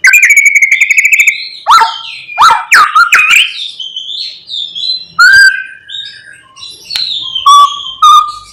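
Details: White-rumped shama morning song aimed at getting other shamas to sing: a fast ticking trill, then loud varied whistles, downward slurs and sharp clicks in a rich, mimicking sequence.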